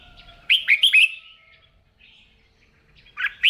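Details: Red-whiskered bulbul trained for song contests, practising in the morning; a loud phrase of three or four swooping whistled notes, then near silence and a brief rough burst at the close.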